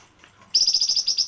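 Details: A flamboyan gives a rapid run of about ten high, sharp chirps, roughly eight a second, after a short quiet start; the song is offered as a training tutor ("master") for other birds.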